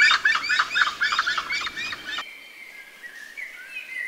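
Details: Grey-headed chachalacas calling in Costa Rica, a noisy chattering burst of rough, rapidly repeated notes lasting two seconds before stopping suddenly, leaving faint whistles from other birds.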